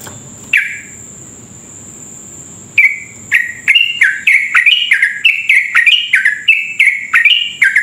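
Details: Sooty-headed bulbul in lively, long rapid 'ropel' song, used as a lure to stir other bulbuls into fast singing; one note, a pause, then quick repeated bubbly, slurred notes, some rising, some falling, over a steady high whine.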